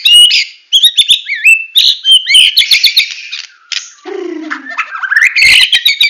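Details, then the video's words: White-rumped shama, Medan variety, in full tembakan song: rapid run of looping whistles and sharp clicks, a brief low buzzy slur midway, then dense ringing chatter. "Murai Batu Medan Full Tembakan"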